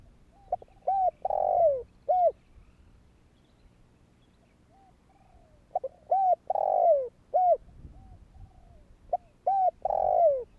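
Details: Cooing spotted dove calling to stir other doves into calling. Two full phrases of quick clipped coos around a drawn-out descending buzzy note, separated by a few seconds of quiet with a faint low murmur.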